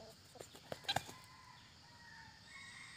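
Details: A tame male junglefowl kept at home, courting his hen, gives a quick burst of four or five soft, sharp clucks within half a second, then falls quiet over a faint background hiss.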